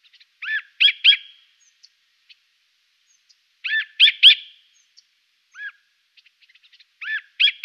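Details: Siberian jay in Norway giving short, clipped double and triple notes with a bright ringing quality, spaced irregularly over several seconds, with faint soft ticks between them.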